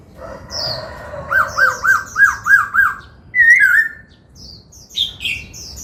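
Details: Laughingthrush being trained to sing, delivering six rhythmic arched notes in a row over a steady tone, then a loud wavering whistle and scattered high chirps.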